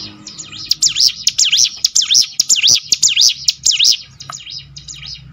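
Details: Mountain prinia delivering a fast string of bright, high, swooping whistles for four seconds, then fading to quieter chirps. Low hum underneath. Meant to coax other birds into singing.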